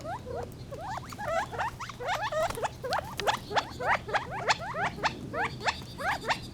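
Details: Gambel's quail flock giving a dense chorus of rising, clipped notes, several birds overlapping, steady through the clip over a low hum.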